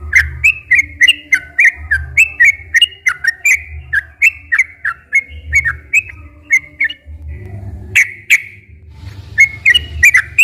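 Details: Sooty-headed bulbul song used to prompt quiet captive bulbuls to sing: brisk alternating whistled notes repeated several per second, a brief gap near the end, then a louder note and renewed phrases over a low hum.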